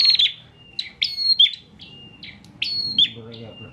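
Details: Kept bar-winged prinia from Pemalang, Central Java, singing as a tutor bird: a few buzzy notes and flat whistles, with faint low background noise.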